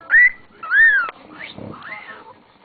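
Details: Pet cockatiel that loves to sing and whistle: two clear rising-falling whistled notes followed by softer warbles, with a person's voice nearby.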